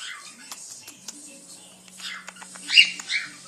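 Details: A male pet quaker (monk) parakeet talks to its owner, chattering in high, scratchy bursts of imitated speech while the owner softly praises him as a good boy.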